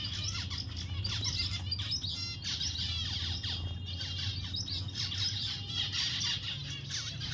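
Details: Pet zebra finch producing dense, lively twittering of high nasal beeps and fast descending chirps, almost without pause, with a low steady hum in the background.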